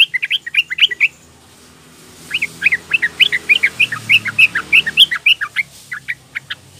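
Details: A young female yellow-vented bulbul, used as a lure to call males, gives quick bubbling chirps, several per second in bright mid-high bursts, with a brief pause between runs.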